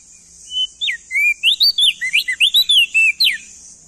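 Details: A male crested white-eye, endemic to East Nusa Tenggara, Indonesia, delivers a lively string of around fifteen sliding whistles. Some notes climb and others drop steeply, all over a faint steady hiss.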